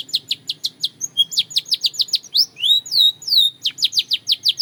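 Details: Belgian canary singing rhythmic strings of sharp downward chirps, broken by a few longer sweeping whistled slurs in the middle, then returning to quick repeated chirps.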